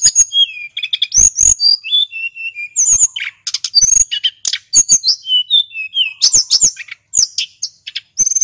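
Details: Male hill blue flycatcher, recorded for luring, sings nonstop. Falling whistled notes and short level whistles are interspersed with dense clicks and buzzy trills in an energetic run.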